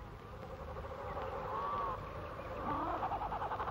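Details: A penguin in Adélie Land, Antarctica, returning from the sea, calls to find its mate and chick: two harmonic, wavering calls, the second a pulsed run of rapid notes, over low background rumble.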